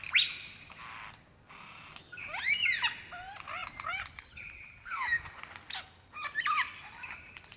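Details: Lyrebird courting a female in Dandenong Ranges National Park, Australia, February 2016, imitating other species: arched, looping whistled phrases and sharp chips tumble together in a rich, varied sequence.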